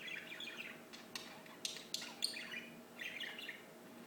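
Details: Singing birds give clusters of twittering chirps separated by a few sharp clicks, with a low background hum.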